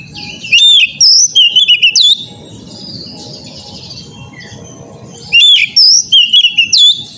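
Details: Oriental magpie-robin therapy song for untrained birds: an opening run of loud fluty, slurred whistles, a pause filled with hum and rumble, then another similar burst of varied notes.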